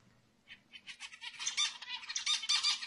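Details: Zebra finch singing to stir females into mating; soft scattered notes build into a dense run of nasal, buzzy syllables that grow louder toward the end.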